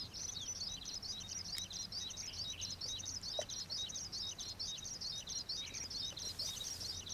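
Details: At a wetland beside the old iron bridge in Pingtung, Taiwan, juvenile common waxbills, an escaped introduced finch, keep up a busy high twitter of short, sharp chips, steady and unbroken for several seconds, with low background hum.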